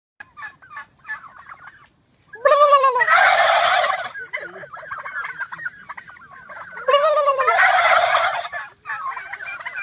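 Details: Several domestic turkeys walking together outdoors gobble back after a man gobbles at them; two loud rattling, descending gobble bursts, each followed by a harsh noisy roar, with scattered softer clucks between.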